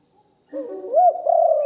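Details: Spotted dove kept as a decoy, recorded live. A brief low rolling coo swells into one arched note and then a held, throaty tail. A steady faint high hum is present.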